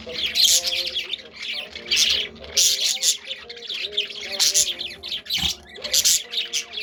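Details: Pet budgerigars (Melopsittacus undulatus) chatter with rapid, high, scratchy warbles and squawks while Christmas music plays softly on the radio.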